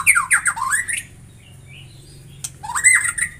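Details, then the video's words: White-rumped shama giving loud slurred whistles that sweep down and up, then a quiet pause with faint thin notes, before a final twisting, somewhat harsh whistled phrase. "Semua jenis murai batu bakal gacor dengan suara ini"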